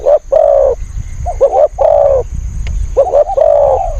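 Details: Decoy spotted dove calling to draw in wild birds: soft paired lead-in notes followed by long, smooth, low coos in uneven groups, with a low rumbling background and one brief click.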